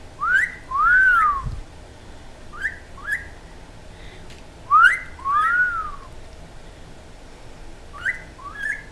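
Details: Talking Quaker parrot kept as a pet gives a whistled phrase twice: a short upswept note, a long arching whistle, then paired quick rising chirps, all clear and tuneful with little background.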